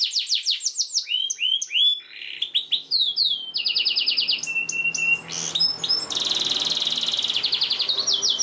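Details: Varied canary song for teaching young canaries to sing. Quick downslurred whistles and looping notes give way to buzzy bursts and clipped chips, finishing with a long, even, high trill.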